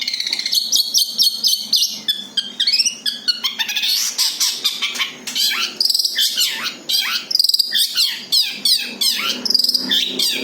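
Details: Natural long-tailed shrike song, free of mimicry, suited for luring birds: dense rapid trills and continuous high chatter with hardly a pause.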